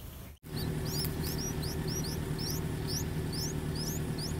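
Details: Streak-eared bulbul nestlings, three days old, in a water jasmine tree by a house while the pair brings food: rapid run of sharp, thin upslurred cheeps, about three a second, some doubled, above constant low background rumble.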